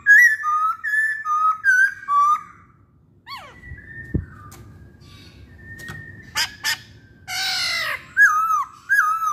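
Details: Lure recording of a masked laughingthrush singing: a run of paired clear whistles, a pause with sharp descending notes, then more whistled phrases toward the end.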